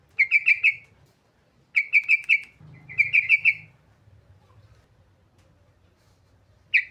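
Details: Sooty-headed bulbul, played to get lazy birds singing: short bursts of four or five bubbly notes around the same pitch, three bursts about a second apart, then a pause with low hum before another begins.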